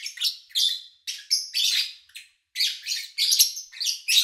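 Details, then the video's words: Pet lovebirds recorded cleanly in August 2019: dense, shrill, rasping chirps in quick succession, some notes slightly whistled, with a short pause midway. "Sounds of Lovebird Chirping"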